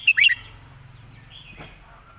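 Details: Red-whiskered bulbul, 'mae bot' master-song style: a brief burst of three quick slurred whistles at the start, then quiet with a low hum and a faint later warble.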